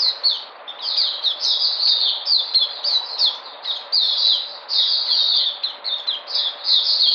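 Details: White-eye on 13 February 2020, returning to form, sings a sustained high-pitched twitter of fast falling whistles that is nearly continuous, with only a few short pauses.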